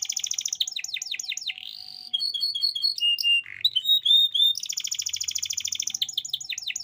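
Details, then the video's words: Canary song used to coax quiet or learning canaries into singing. Fast trills open into rising sweeps, a smooth whistle, a series of chirps and a low rasp, then clear whistled notes and a bright rolling trill. "kenanari paut langsung nyaut bunyi"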